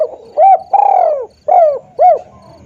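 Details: Spotted dove call played as a lure for catching birds: clear mellow coos, one short note, then a long sliding falling note, then two more short hooting notes, repeated in a steady rhythm against a quiet background.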